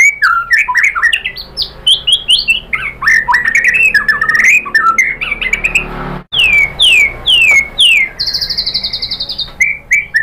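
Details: Continuous white-rumped shama song meant to provoke a rival bird into singing: dense, fast phrases of swooping whistles and sharp clicks, a brief break, then three descending whistles and a long high buzzy trill.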